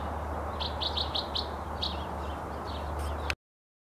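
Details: A Bewick's wren sings along the Yakima River on March 8, 2012: a quick run of five bright, evenly spaced notes, then a few slurred buzzy phrases, over a steady low rumble.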